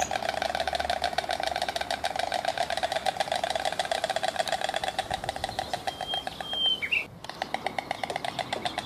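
White stork bill-clattering: a fast, dry, wooden rattle of clicks running steadily throughout, with a brief thin whistle from another bird near the end.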